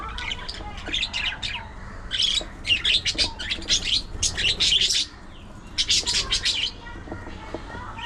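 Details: Budgerigar chatter in clustered bursts of bright scratchy chirps and buzzy notes, pausing briefly between bouts, then falling quiet at the end.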